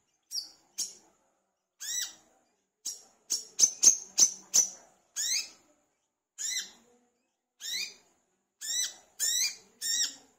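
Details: Olive-backed sunbird, known locally as kolibri kelapa or wiceh, in full song, used as a lure to start other birds singing. Bright, high, downward-sweeping notes in irregular runs, with a quick cluster of sharp ticks midway.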